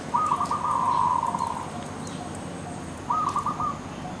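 A dove gives a soft, hollow cooing phrase of several pulsed notes, then starts another about two seconds later. A faint background hiss runs throughout.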